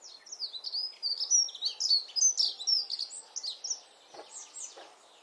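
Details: Garden Eurasian wren, nest somewhere nearby, delivering a fast, jumbled stream of very high, sharp twittering notes that trails off into a few quieter clicks toward the end.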